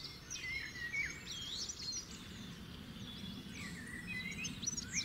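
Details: European goldfinch in an alder tree: thin, twittering high notes and quick rising and falling tinkling calls, scattered through steady low background noise.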